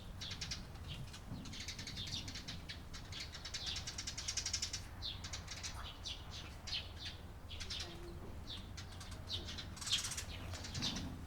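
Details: Eurasian tree sparrows recorded 28 April 2022, chirping almost continuously in irregular bursts of short bright notes, several birds overlapping, with low rumbling background noise throughout.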